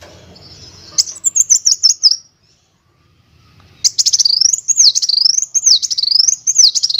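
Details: Song of a kolibri wulung sunbird, used for training other songbirds: thin, shrill, rapidly wavering trills sliding up and down, a short burst, a brief silence, then a longer, continuous run of chattering notes.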